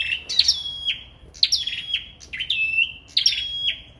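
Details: A sâu đầu đỏ sings competitively, four rapid phrases in four seconds, each with sharp ringing notes that fall and settle into a long flat whistle, then end in a quick downward flick.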